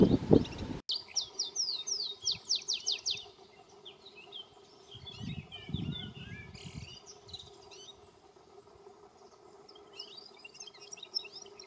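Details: A canary in open forest sings a rapid run of bright, high, downslurred notes, then scattered chirps and twitters, over a steady low hum and a brief rustle at the start.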